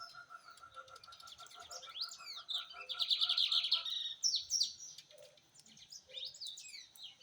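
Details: Rusty-collared seedeater song, a rich run of fast, varied whistled and buzzy notes with sweeping slurs and a dense trilled burst in the middle, delivered continuously over several seconds.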